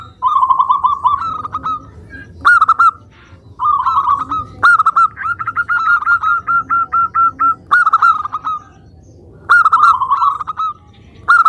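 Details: Local zebra dove in vigorous song, played to lure other doves into replying: a long sequence of rolled coo phrases, some slow and stuttering, one a fast even run of a dozen notes, with short silences between.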